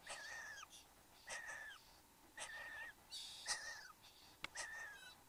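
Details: Male and female satin bowerbirds in the bower, Australia, morning of 15 November 2014: buzzy, wheezing calls, each with a drawn-out whistled band that falls at its tail, repeated about once a second, plus a louder rasping burst.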